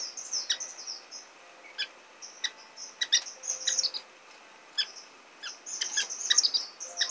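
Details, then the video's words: Orange-cheeked waxbill chicks begging while being fed, a busy mix of high thin slurred whistles and sharp clicking ticks in irregular bursts, intensifying toward the end. "橙頰梅花雀(育雛)/Orange-cheeked Waxbill(Feeding Baby)"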